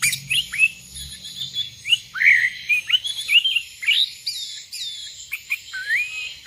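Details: Sooty-headed bulbuls, wild birds answering a caller that summons rivals: a dense run of overlapping short whistled, arched notes with a steady high hiss behind.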